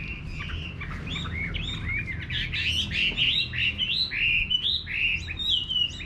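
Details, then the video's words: A Chinese hwamei in a countryside garden sings a rich, fast stream of varied whistled phrases, slurred up and down, over a low background rumble. "Nghe Chim Họa Mi Hót"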